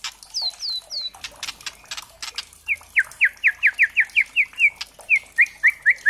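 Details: Speckled juvenile white-rumped shama used as a lure to provoke singing: a few high slurred notes, harsh rattles, then a long series of sharp rising chips repeated about twice per second.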